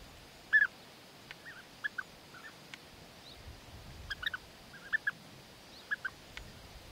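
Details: European bee-eater calling during courtship, the male winning the female's favour with food gifts; short rolling, trilled notes given singly and in pairs at irregular intervals over a quiet background.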